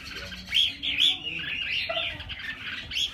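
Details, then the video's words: Red-whiskered bulbul delivering a few clear, ringing whistled notes, some upslurred, mixed with softer warbling chatter, then a final bright note near the end; low background hum throughout. "Clip Chim chào mào hay"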